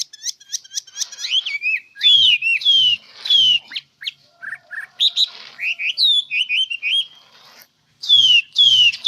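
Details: A bird singing in a rapid, varied sequence of sharp ticks, sweeping whistled slurs and trills, the phrases broken by brief pauses, with faint low knocking sounds beneath some phrases.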